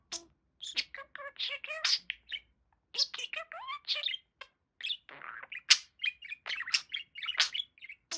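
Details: Pet male budgerigar, a talking parakeet, chattering in a rapid stream of harmonic speech-like syllables mixed with sharp chirps and clicks, dense and continuous throughout with only brief pauses.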